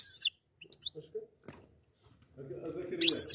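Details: Goldfinch pair: a loud, downward-sweeping harmonic call, scattered high chips, then a low murmuring voice-like sound rising beneath another strong bright call at the end.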